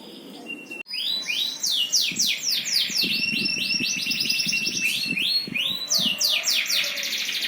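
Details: A bird sings a long series of high sweeping notes in rapid succession after a sharp click, with faint low murmuring behind.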